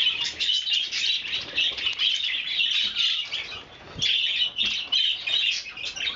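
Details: Captive budgerigars at breakfast, recorded 30 January 2011: dense, continuous warbling chatter from several birds with scratchy chirps overlapping throughout and soft fluttering sounds.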